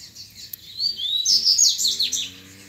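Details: Wild double-collared seedeater in song contest with rivals, grego style; a rising whistled note swells into a rapid, dense, buzzy high warble lasting about a second, with a faint low hum behind.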